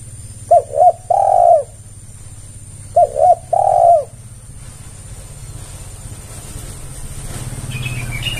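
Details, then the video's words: Spotted dove calling as a lure for others of its kind: two low cooing phrases, a pair of short notes then a drawn-out coo, followed by rising background rumble and noise. "Pancingan Tekukur Semua Pasti Merespon"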